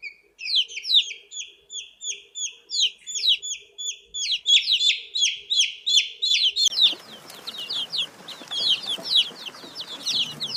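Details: Baby chicken chick giving a steady run of shrill downward-slurred peeps, roughly three per second. Partway through, a hissy background noise starts under the calls, which continue over it.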